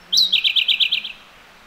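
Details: A Siberian blue robin singing close by in a mountain valley gives one short phrase: a thin high lead-in note, then a fast run of about eight loud, ringing chirps lasting under a second.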